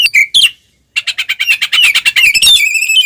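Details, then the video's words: Oriental magpie-robin delivering a provocative fighting song, ngeplong style: two sharp whistles, a short gap, then a dense fast rattling series of harsh notes with squeaky overtones. "suara burung Kacer NGEPLONG tarung paling ampuh buat pancingan Kacer"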